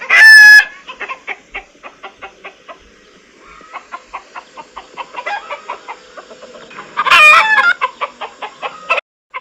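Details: Two loud rooster crows, one at the start and one near the end, each a harsh harmonic cock-a-doodle-doo, with steady rhythmic clucking from chickens filling the seconds between.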